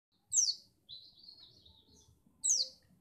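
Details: White-eye from Pacitan, played so other birds sing eagerly for contests: two sharp, high descending notes about two seconds apart, with a faint thin trill between them, in otherwise quiet surroundings.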